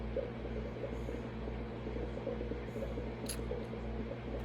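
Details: A steady low mechanical hum fills the room, with a brief faint hiss near the end and no animal calls.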